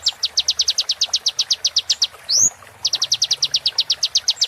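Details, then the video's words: Sunbird vocalising as a model for training caged birds: fast, high, regularly spaced chips in two long runs, split by a single loud upward-sweeping whistle. "MASTER BURUNG KECIL KOLIBRI"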